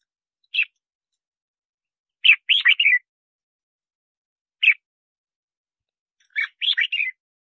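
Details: Song of a red-whiskered bulbul, played to attract wild birds into traps and coach captive singers: a lone clipped note followed by a fast trilled three-part phrase, the pattern given twice against silence.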